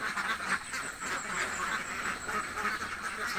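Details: Hungry ducks in a village give a few drawn-out, nasal quacks spaced roughly half a second apart over a background of overlapping flock noise.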